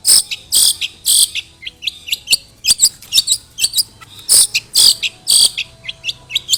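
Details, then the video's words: A long-tailed shrike pours out lure song packed with imitated sparrow calls, mixing broad harsh squawks and short bright chirps at roughly two per second in irregular runs. "CENDET ISIAN GANAS Pancingan Ampuh Burung Trotol Gacor"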